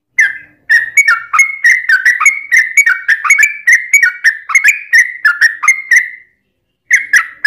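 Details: Trucukan (yellow-vented bulbul) lure song: a six-second run of chattering, gurgling notes with clicks, ending in a held whistle, then a short silence before the song resumes.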